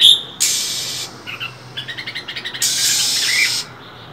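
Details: Oriental magpie-robin hen hissing and whistling in winter to spur males: a sharp note, a long harsh hiss, a series of about eight quick, evenly spaced chirps, then a second long hiss.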